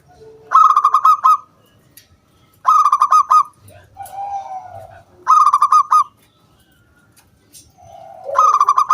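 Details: Local wild zebra dove singing loudly, meant to draw other doves into song. Short phrases of five or six quick, ringing coo notes repeat about every two and a half seconds, with a soft, low, drawn coo between them.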